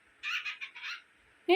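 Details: Pet cockatiel arguing with its owner, giving a quick string of raspy, chattering syllables for almost a second, then a brief sharper note at the very end.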